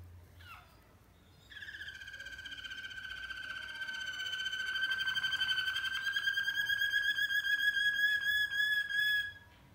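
A Malinois canary opens with a short falling note, then holds one long, deep, rolling trill that swells steadily louder for about eight seconds before stopping.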